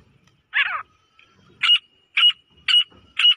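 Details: A female grey francolin (Francolinus pondicerianus) gives one harsh, ringing note, then four short, high, sharp notes about every half second, over a faint steady whine.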